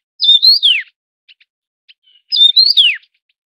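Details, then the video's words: Taiwan yuhina, a Taiwan endemic of mountain areas: two clear whistled phrases about two seconds apart, each a level then rising warble falling steeply at the close, with faint ticks in the gap. "冠羽畫眉/Taiwan Yuhina"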